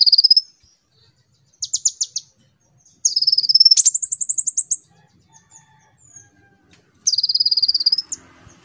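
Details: Busy, chattering konin on a lure recording for training young kolibri ninja birds: a series of high buzzy trills and rapid chips, one long rattling burst in the middle, with pauses between phrases.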